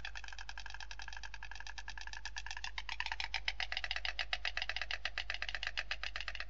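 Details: A mated white stork pair in Madrigal, Spain, on 11 February 2019 clatters their bills in a courtship display, a fast, dry wooden rattle that grows louder and sharper halfway through, over a steady low hum.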